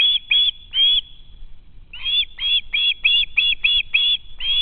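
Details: Young osprey hanging around its home nest, hoping a parent will feed it: loud, shrill screams, three at first, a one-second pause, then a steady run of eight more.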